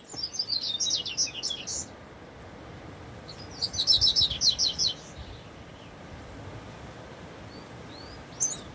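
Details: Wild double-collared seedeater in the bush giving two fast phrases of high, twittering notes, each about a second and a half long, separated by a pause, then a few faint thin notes, over low rural noise.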